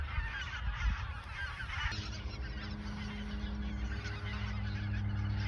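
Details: Autumn 2022 goose flock at Ochsenmoor nature reserve before heading south; loud overlapping honking for about two seconds, then fainter calls behind a steady mechanical hum.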